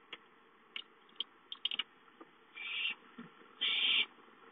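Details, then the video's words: Owlets at home on 5-9-13, one calling for food: a scatter of small clicks and knocks, then two harsh hissing screeches, the second louder and longer. "Owlets have fun playing at home, Chicka calls for food"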